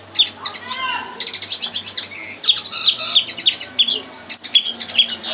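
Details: Lesson song of a red crossbill: rapid strings of sharp high chirps and clipped trill bursts, with a few lower slurred notes early on, tumbling along almost without pause over a faint low hum.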